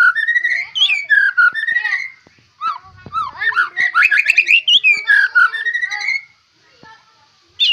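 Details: White-rumped shama said to have a rich fighter song fill, delivering a varied stream of whistled slurs, chattering bursts and warbles for about six seconds before a pause and a closing high note.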